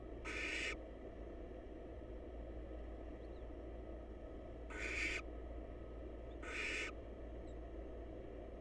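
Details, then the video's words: In a monitored nest box, wild young barn owls wait together to be fed, producing three rough, hissing rasps: one early, then two closer together near the end, with constant low droning noise beneath. "Barn Owl Babies Snuggle Up And Wait For Their Next Meal!"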